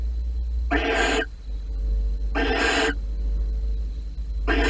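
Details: Barn owls mating in a nest box at Holten on 16 March 2020. Loud, hoarse hissing screeches of about half a second each, repeated every one and a half to two seconds, over a low hum.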